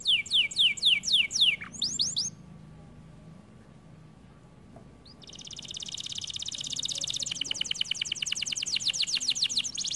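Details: Kenari canary song opening with a series of quick descending chirps, then a pause of near silence before a long, rapid, rattling trill builds and continues steadily.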